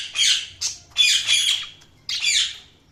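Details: Budgerigars chirping indoors: harsh, scratchy squawking chirps in four bursts with short gaps, some notes carrying a brief clear whistle inside the rasp.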